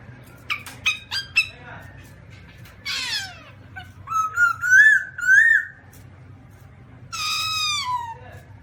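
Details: Black-throated laughingthrush giving a varied series: a quick run of short harmonic notes, a descending buzzy sweep, then clear whistled phrases rising and falling, ending in a long harsh downslurred note; low steady hum beneath.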